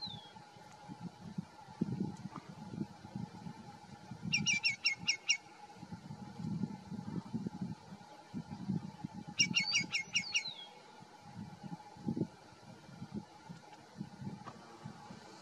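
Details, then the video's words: A greater yellowlegs at the SGOA Visitor Center gives two quick bursts of about six sharp, high whistled notes, the second ending in a falling whistle, over a low rumble and steady hum. "Greater Yellowlegs"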